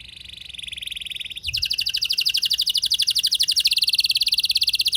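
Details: Canary in rolling song, a lure meant to excite other canaries into singing. A steady buzzing trill breaks off, then resumes higher and faster as a dense, rhythmic rattle, with faint background noise.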